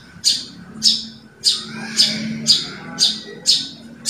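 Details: Javan bushlark from a 2022 compilation of training recordings, repeating a sharp, high, explosive note about every half second over soft low background sounds.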